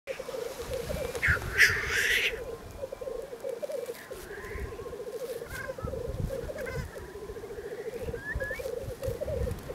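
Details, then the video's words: Male black grouse displaying on a lek in Scotland give a low, dove-like bubbling rookoo that rolls on almost without pause, broken early by a loud hissing sneeze, with small birds chirping faintly behind. "displaying black grouse"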